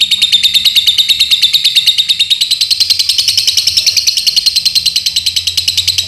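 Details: Lovebird kept in Paduraksa, Pemalang, Indonesia, sustaining a loud, rapid, shrill chattering trill, pulses tightly spaced and pitch rising gently across the whole stretch.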